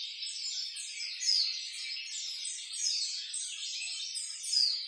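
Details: White-eye in ngalas nembak style, played to train captive birds: an unbroken, moderately soft, high twittering warble of rapid slurred notes that swells in short surges.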